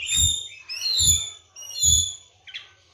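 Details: Caged Oriental magpie-robin, kept on seven crickets and twice-daily baths, giving three bright ringing whistled phrases about a second apart, each paired with a dull low thump, then a short final chirp.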